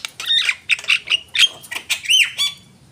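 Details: Harsh, buzzy squawks from a Javan myna run into one another, ending with a bright arched whistle and a few sharp clicks.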